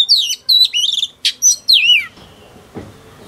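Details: Female oriental magpie-robin, newly wild-caught, singing to provoke males: two seconds of loud, quick whistled phrases with sliding, downward-curving notes, then quiet rustling.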